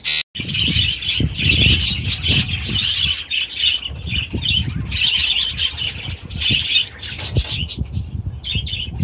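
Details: Budgerigars with new chicks in aviaries, recorded 23 July 2017: dense, continuous chirping and warbling chatter from several birds, with scratchy, squawky bursts throughout and soft low thumps, possibly wing flaps or movement, in the background.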